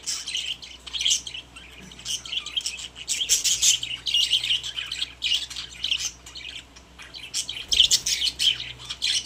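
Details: Several caged budgies warble and chirp, with scratchy, buzzy notes and squeaks mixed in a steady, rambling chatter and a louder flurry near the end.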